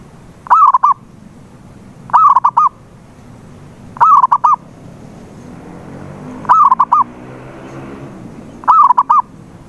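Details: Zebra dove lure for a silent dove: five repeated phrases roughly two seconds apart, a rising coo followed by clipped staccato notes, with a soft swelling background rumble midway.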